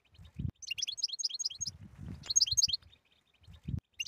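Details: European goldfinch song meant to prompt a silent goldfinch to sing: quick bursts of bright, high, tinkling twitters and trills, interrupted by low dull thumps and rustling.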